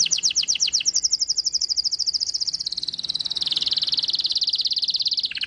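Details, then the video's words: High white-eye song in "tembakan isian" style: brisk descending strokes run into a long, dense buzzy trill that drops slightly in pitch midway, ending abruptly with a lower note. "Pleci Tembakan isian Mantap!!!"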